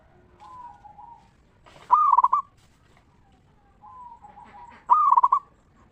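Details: A local zebra dove gives ngeristal song to draw other zebra doves into singing. Twice, a soft low coo leads into a loud, bright, stuttering phrase, about three seconds apart.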